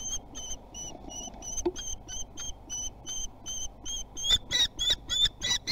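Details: Young common kestrels at Théding, France, 24 June 2020, exercising their wings; a steady series of clear, high piping notes, about three per second, growing louder and harsher near the end amid light scratching.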